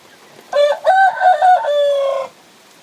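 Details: Rooster crows while a hen sits on eggs: one full crow of about two seconds, a short opening note, then several choppy rising-falling syllables and a long sustained harmonic ending that cuts off abruptly.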